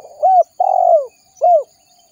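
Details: Spotted dove calling its companions, recorded as a lure for wild birds: one arched coo, a long drawn wavering coo that slides down, then a final rounded coo, loud and clean.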